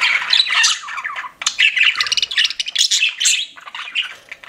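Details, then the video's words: Pet budgerigars chirping: lively rolling warbles mixed with rattling chatter and squeaky whistles, nearly continuous with one short break. "CUTE PET BUDGIES CHIRPING"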